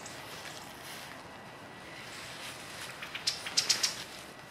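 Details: Pale Thrush calling after flying off, on a cold, windless January 17, 2016 morning that turned from sunny to cloudy with snow expected; a quick run of about five short, thin, high notes near the end, otherwise quiet.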